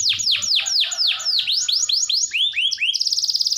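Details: A prolific canary, used to spur quiet canaries into song, gives slow, deep downward-swooping whistles that quicken into shorter slurs and end in a fast buzzy trill.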